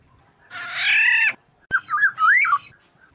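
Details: Black-naped oriole lure call meant to set other orioles calling: one harsh, raspy nasal squawk lasting under a second, then a wavering, fluted whistle that rises and falls.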